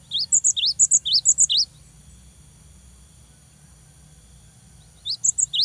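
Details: Loud cinereous tit song meant to stir a rival: a rapid string of paired notes, rising slur then high whistle, followed by a long pause and the phrase beginning again.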